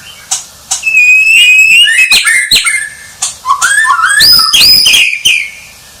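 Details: A champion White-rumped shama sings fluid whistled phrases that rise and fall, mixed with sharp clicks, climbing into high swooping notes.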